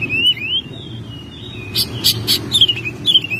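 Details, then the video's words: Oriental magpie-robin kept at home, in song during May: long wavering whistles, then a burst of three harsh, noisy notes and a few bright descending slurs over a constant low hum. "Burung Kacer gacor rumahan spesial bulan mei"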